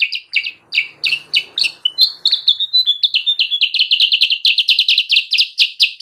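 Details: Kutilang sutra bird used to lure wild birds of its kind: a long, steady run of bright, high chip notes that speeds up into a fast, even rattle of repeated chirps.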